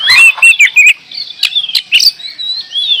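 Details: Brief gacor door song of a kacer, or oriental magpie-robin: a quick cluster of fluty whistles and scratchy notes, then clicks and a long, level whistled phrase.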